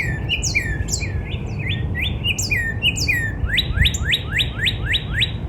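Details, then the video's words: Northern cardinal singing in a backyard in spring: clear slurred whistles, first falling phrases, then a fast run of rising upswept notes about six per second, with high thin chips from other birds above. "Real Natural Spring Cardinal Bird Sound"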